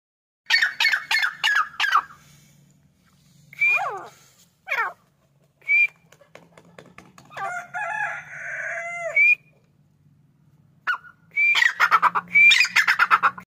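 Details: A grey partridge gives harsh, rasping bursts in quick series with creaky down-slurred notes, like a rusty gate, while other fowl-like calls and a low hum run underneath.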